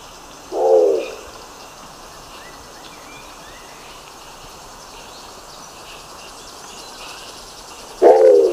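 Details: Two brief, low, gruff calls of a Nicobar pigeon, separated by about seven seconds of near silence with steady faint background hiss.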